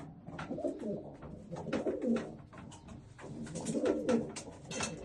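Old German Owl pigeons give low, throaty rolling coos in bursts about every two seconds, with scattered clicks and shuffling in a small room.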